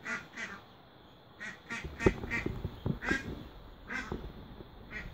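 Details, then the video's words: Mallard duck with newborn ducklings during feeding, giving short harsh quacks in scattered bursts, some doubled, over a low rumbling background. "Beautiful Duck with your newborn baby | Donald and cute duckling feed and sound"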